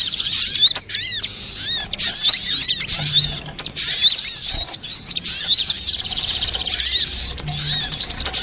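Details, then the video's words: Lure sound of a sogok ontong spiderhunter used for trapping: rapid, piercing high twittering almost without pause, with repeated downslurred arching notes underneath and a few short breaks near the middle. "suara pikat burung sogok ontong"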